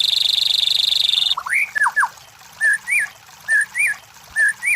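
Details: Shama song used to provoke competition birds: a steady harsh buzz at the start, then looping upslurred whistles and twisting two-part whistled phrases repeated roughly every second.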